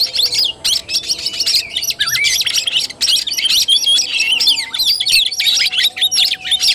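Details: Oriental magpie-robin singing tarung, the fighting style, on 17 August 2021. Rapid, continuous bursts of piercing whistles, slurred notes and harsh chips, with a faint background hum.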